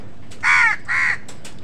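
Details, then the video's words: Two loud, harsh crow caws in quick succession, the first slightly longer, while crows and wild birds fight over food. "কাকের ডাক Crow Sound"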